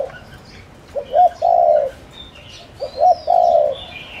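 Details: Lure call of a spotted dove used to attract wild doves: twice a low cooing phrase of two brief notes then a drawn-out hoarse coo, with thin whistles of other small birds in the background.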